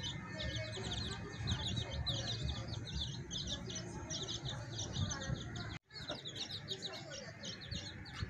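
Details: Young chicks kept with their hen, peeping steadily: many thin, high chirps crowd together without pause, over low background rumble, broken once by a short silent gap near the end.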